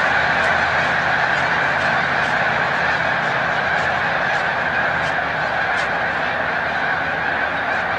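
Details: Snow geese taking flight during peak migration at Montezuma, New York, on 7 March 2022; dense overlapping honks form a roaring chorus, with brief higher yelps popping out every second or so.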